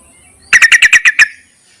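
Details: Yellow-vented bulbul calling males, a lure call: a clean, loud series of seven bubbly chirps delivered in under a second against near silence.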